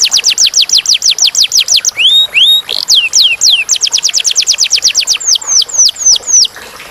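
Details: Canary delivering clear song: a rapid run of downswept high notes breaks into several slower rising whistles, then resumes as a quick trill before ending in slower, spaced downslurred strokes. The recording is clean, with little background.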